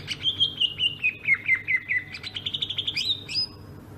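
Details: Sumatran greater green leafbird singing its rolling ngerol style: a fast chain of bright chirping notes gliding gradually downward, then a quicker rattling run and a final sharp whistled note.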